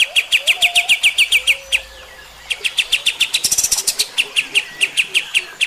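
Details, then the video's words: Master recording of a kapas tembak for teaching young birds: machine-gun runs of sharp, clipped notes, a brief break with a thin slurred whistle, then a second denser, accelerating run of the same rapid notes. "suara KAPAS TEMBAK ini Cocok buat masteran MB bahan anda & 100% AKAN NEMBAK JUGA"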